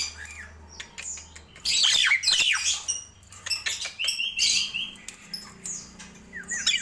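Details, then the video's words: Morning calls of Nias hill myna: scattered loud squawk bursts and one drawn-out steady whistle, over a faint low background hum with quieter spells between. "Ramainya Kicau Jalak Nias di Pagi Hari"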